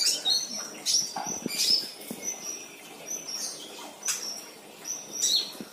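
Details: Sunbird, said to be a keen singer, producing thin, high whistled notes and sharp chirps spaced irregularly over a soft background hiss.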